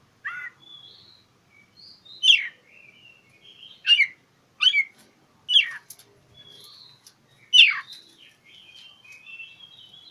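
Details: Magpie-robin song challenging an opponent, used to goad quiet birds. Half a dozen loud, harsh falling notes come every second or two, with thin wavering whistles running between them.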